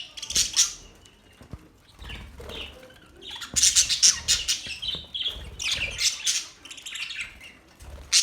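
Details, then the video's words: Budgerigars chirping, a busy mix of bright high chatter and short squawky notes in irregular bursts, with soft low fluttering or handling noises underneath. "Budgies bird chirping sound"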